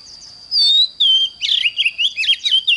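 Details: Oriental magpie-robin in energetic morning song: two long clear whistles, then a quick string of warbled, rising and falling notes with scratchy edges. A thin constant high tone sits in the background.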